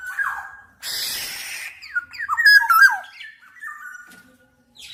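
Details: Black-naped oriole giving a series of short, slurred whistles that climb and dip in pitch, interrupted early by a brief burst of hissing noise, then ending in softer notes.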